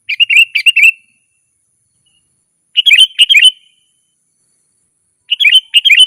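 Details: Sooty-headed bulbul in lively ngeroll singing, played to draw wild birds: clean groups of three or four quick bubbly whistled notes, separated by gaps of about two seconds.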